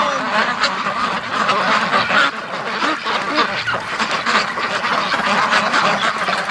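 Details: Domestic ducks, many together, quacking during the morning rush in a winter snow storm; a dense, continuous chorus of harsh, overlapping quacks with laughter heard nearby.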